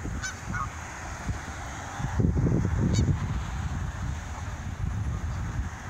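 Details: Canada geese taking off give a few brief, nasal honks over a heavy low rumble of beating wings and splashing water.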